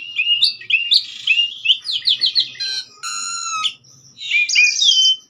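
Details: Persistent song of an Asian pied starling on a master recording: high looping whistled phrases, a rapid stuttering run of upslurred notes, a flat harmonic-rich whistle, then rising and dropping high slurs.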